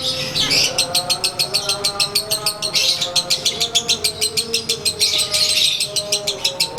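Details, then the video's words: A konslet lovebird sunbathing in its cage delivers its everyday ngekek, a long unbroken run of quick, sharp, rattling chirps at a fast even pulse, with a soft steady hum underneath. "SANGAT JELAS!! Durasi Volume Gaya Suara ASLI Harian LB WISANGGENI"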